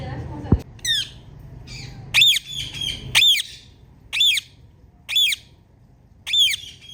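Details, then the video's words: Loud chirping from a female Indian ringneck parakeet: piercing, ringing squawks that sweep up and then down, repeated about once a second, about seven in a row, with a sharp click at the start. "Ringneck Female Loud Chirping Sound"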